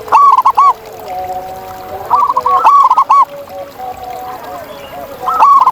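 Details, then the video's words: Zebra doves in the wild sing loud, rolling, cooing phrases of quick bubbling notes, repeated about every two and a half seconds. Softer doves coo steadily behind them. "Masteran Kutut di Alam Ini Bikin Burung Kamu Kaya Bersuara Emas!"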